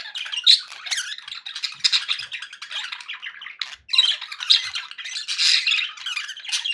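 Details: Budgerigar sounds meant to keep pet parakeets happy: dense, busy warbling chatter with scratchy squawks and quick chirps, rising and falling in loudness with brief gaps.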